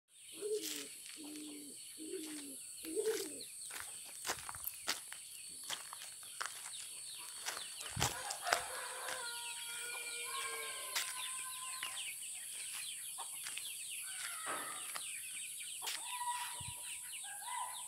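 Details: A chicken being preyed upon by a civet gives harsh, repeated squawks of distress amid flapping thumps and a constant insect hiss.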